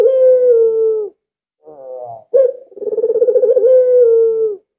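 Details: Albino collared dove, very vocal and used as a lure for other doves: one long low coo, a brief rising note, then a throbbing rolled coo that smooths into a steady held tone.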